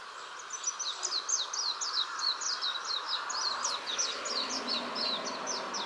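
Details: Evening song of a Japanese white-eye perched in a tree by a house: a hurried, continuous chatter of piercing high notes, each quickly slurred downward, delivered in rapid bursts with faint background hiss.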